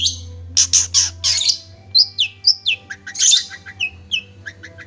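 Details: Cendet, the long-tailed shrike, in a tutor recording: harsh scratchy bursts open, followed by high slurred whistles and a series of short, lower falling notes, over a faint low hum.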